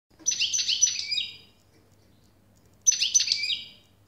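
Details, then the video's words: European goldfinch singing: two bright twittering bursts of about a second each, full of quick rising and falling chirps, separated by a short silence, over a faint low hum. "SAKA ÖTÜŞÜ"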